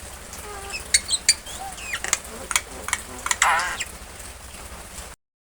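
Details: Pet common myna (Acridotheres tristis), named Mithu, talking mimicry: a rapid jumble of harsh, speech-like chatter, sharp clicks and brief whistled sweeps over about five seconds, kept near people and spoken to in Bengali.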